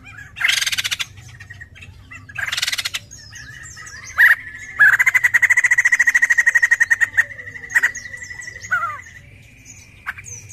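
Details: White-crested laughingthrush in lively song, used as a lure sound: two harsh bursts, then a sharp note and a long, fast run of pulsed notes on one pitch, fading into scattered calls.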